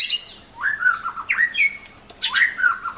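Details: White-rumped shama song as tutor material for pet birds: scratchy calls blending into drawn-out slurred whistles, two phrases with a pause between, low hum in the background.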